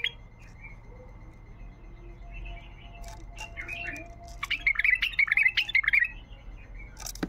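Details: Wild bulbul song recorded over a persistent hum and faint noise, with scattered soft notes building into a lively, scratchy warbling flurry near the end.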